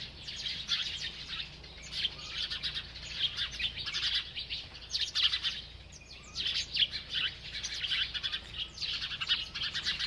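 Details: Happy bird chirping nonstop as it eats, giving rapid high twittering phrases in clusters roughly a second long, separated by brief gaps, with a low steady hum beneath.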